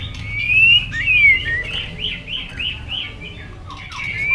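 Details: White-rumped shama competition singing with tail flicking and perch hopping: softer, thin whistles, followed by a series of arched high notes repeated in steady succession.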